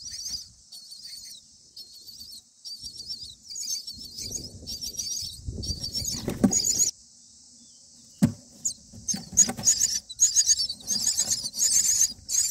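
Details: Common myna chicks, day 9 in the nest, give a dense chorus of thin, high, rapid squeaky begging calls that swell in bursts, with low rustling and thumps, as the parents arrive and the father brings a grasshopper to feed them.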